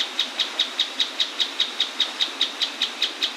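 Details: Mouse-colored tapaculo (Scytalopus speluncae) singing right beside a waterfall in the Atlantic Forest: a long, steady run of identical sharp, high notes, about five per second, over the soft rush of falling water.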